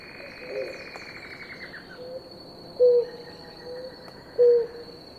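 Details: Blue ground dove, one of a pair drinking water, giving short low hollow coos; two loud notes about a second and a half apart near the end, fainter ones earlier, over a steady high insect hum.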